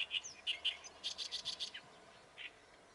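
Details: Oriental reed warbler singing: harsh, chattering notes in quick bursts, a run of loud grating syllables around the middle, then a lone faint note after a pause; light background hiss.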